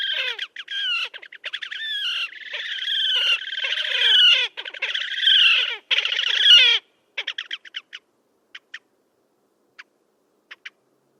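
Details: At Gavieze, Latvia, in May 2024, a wild Slavonian grebe gives harsh, rapid trilled squeals building in loudness for nearly seven seconds, then stops, leaving a few scattered short clicks.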